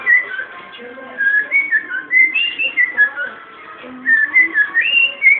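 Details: Home-bred pet cockatiel whistling clear melodic phrases of rising and falling notes, in short bursts separated by quiet gaps.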